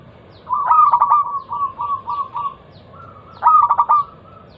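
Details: Local zebra dove pouring out a loud lure song to stir other doves: rapid stuttering coos, then a string of softer evenly spaced purring notes, then another quick staccato burst ending in a held tone.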